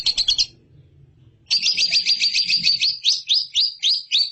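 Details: Lovebird master song for training competition birds: a short chirp burst, a pause of about a second, then a rapid high trill that slows into separate upward-flicking chirps.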